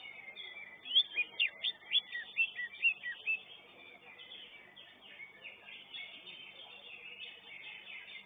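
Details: Greater green leafbird (cucak ijo) competing in a first-class singing contest, caged: about ten loud, sharp whistled notes in rapid succession over two and a half seconds, followed by a steady buzzy chorus of many birds.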